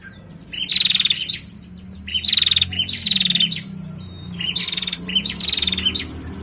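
A female Bar-winged Prinia gives high, buzzy, rapid trills in short bursts about a second apart, with a faint low hum beneath.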